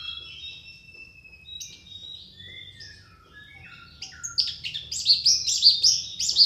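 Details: Orange-headed thrush song opening with soft, varied whistled slurs and ending in a loud run of rapid, repeated high chirping notes.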